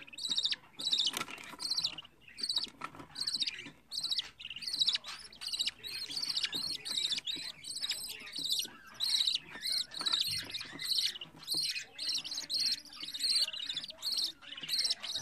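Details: Home-bred pet budgerigar chick on its fourteenth day: harsh, raspy chirps repeated roughly twice a second in a steady run over fifteen seconds, each short and buzzy, with faint soft murmurs between.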